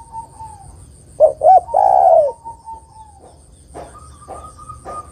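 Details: Female spotted dove calling a male: two quick clipped notes run into a long, slightly falling coo, with softer notes and a steady thin tone in the background.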